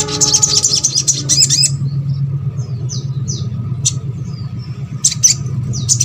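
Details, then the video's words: Sogok ontong song meant to set birds of its kind singing: a fast high twitter at the start, then thin falling whistles and sharp chips, all over a constant low rumbling hum. "MASTERAN SOGON ( sogok ontong ) BAHAN AGAR RAJIN BUNYI"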